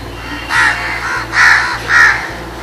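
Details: Three harsh, drawn-out scold caws from crows reacting to danger, spaced about half a second apart, with music playing softly underneath.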